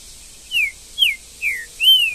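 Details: Trinca-ferro, the green-winged saltator, in the bush in Brazil, giving four ringing whistled notes spaced roughly every half second, each a smooth downward slur, the last longer and arched, over a quiet background.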